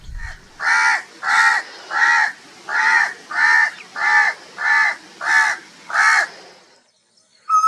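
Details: Crows calling loudly, a run of nine harsh, even caws spaced a little over half a second apart, then a brief pause and a short clipped note at the end.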